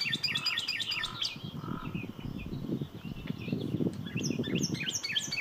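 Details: Canary singing quick chirps and short rising and falling notes in rapid bursts, with a steady low rumble and thumping noise underneath throughout.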